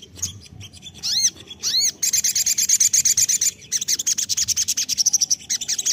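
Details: Crested jay lure call: a few scattered ticks and two swooping arched notes, then a long, fast, harsh rattle of high clicking pulses with brief breaks.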